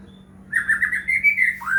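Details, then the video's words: White-rumped shama lure song for caged birds: a continuous warbled whistled phrase, wavering and slightly rising, ending in a downward slur. "murai batu gacor AMPUH buat PANCINGAN murai batu agar bunyi"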